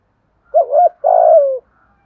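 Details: Low, mellow giọng thổ coo of a spotted dove: a rolling double note, a brief gap, then a long steady coo that drops in pitch as it fades, with a clean, quiet setting.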